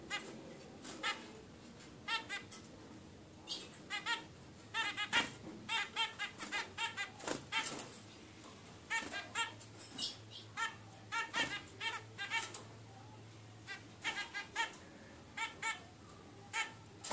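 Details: A 16-day-old zebra finch chick gives short, nasal, buzzy calls in quick bursts, repeated again and again.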